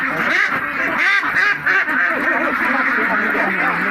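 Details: Several owned Mallards (Anas platyrhynchos) quack together in a dense, overlapping chorus of raspy, nasal calls with no pauses, possibly mixed with a human voice.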